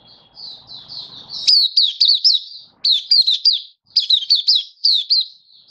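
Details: In Singapore on a warm, sunny 20 March 2023, a kept Malaysian white-eye sings happily: soft high twitters, then bright groups of three to four rapid, sharply inflected chirps with short pauses between them.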